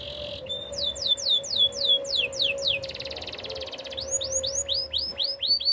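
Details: Spanish Timbrado canary in training song. Repeated downslurred whistled notes fall in series, then a fast buzzy rattle, then more down-sweeping notes. A faint steady low hum runs underneath.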